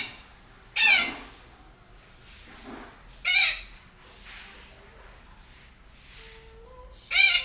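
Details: Red-breasted parakeet in the morning giving three loud, harsh, raspy squawks spaced about two and a half seconds apart, each a short burst with a falling edge, over quiet background hum.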